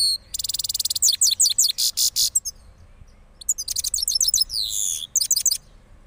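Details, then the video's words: Rolling song of a moulted cross goldfinch, Parachinar: a rapid fine trill, loud buzzy bursts and sharp descending chips repeated quickly, a short gap, then more slurred high phrases. "Cross Gold Finch Part 3 After Moulting Rolling Songs"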